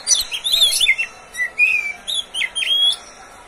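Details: Caged Oriental magpie-robin (kacer) owned and recorded by its keeper, singing a varied run of sharp high whistles, chirps and slurred notes in quick bursts with short pauses, used as a master recording to prompt other birds to sing.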